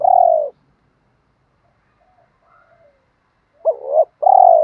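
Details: Spotted dove in "đồng pha" style calling females. A long buzzy coo opens, then near silence with faint murmurs. A wavering note and another long coo end the clip.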